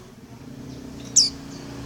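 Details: Female Oriental white-eye calling for a male, a single very short, high chirp sliding steeply downward, heard over a steady low hum like distant traffic.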